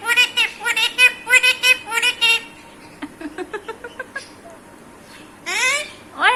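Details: Pet Alexandrine parakeet talking in Hindi and Urdu, asking for a kiss: a run of rapid harsh, buzzy syllables, then softer short clicking notes, and a loud rising squawk near the end.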